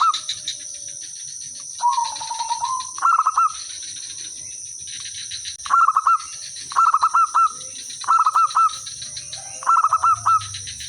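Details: Village zebra dove singing as a lure bird to draw replies: repeated short phrases of quick stuttered mellow notes finishing in a rolling coo, roughly one per second, with other soft calls between and a constant high-pitched hum.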